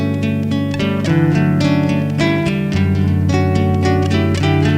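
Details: Loud strummed acoustic guitar music plays throughout, with no animal calls.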